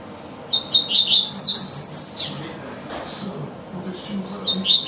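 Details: Double-collared seedeater singing the tui-tui song style: a burst of short high notes climbing into a rapid string of about six sharp, slurred whistles lasting under two seconds, with a new phrase starting at the end. Faint low background hum.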